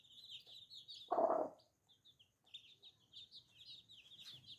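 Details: Small new chicks give shrill, high, separated peeps in short runs with brief gaps. A loud rough burst breaks in after one second, and soft low patters come underneath.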